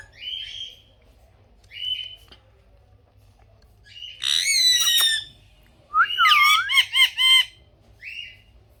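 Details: Pet parrot giving short nasal squawks, then loud harsh screeches with a stacked, buzzy tone, in two bursts followed by a brief squawk.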